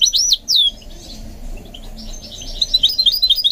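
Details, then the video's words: A goldfinch mule in song training gives two sweeping high whistles, falls quiet briefly, then resumes with soft fast twittering notes. "What I Learned from Training My GOLDFINCH Mule to Sing"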